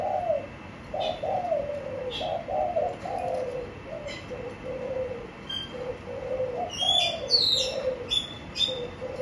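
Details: Caged spotted dove with a continuous series of soft, low coos, some slurred downward, while a small bird adds high, sharp twittering chirps near the end and a few clicks sound earlier.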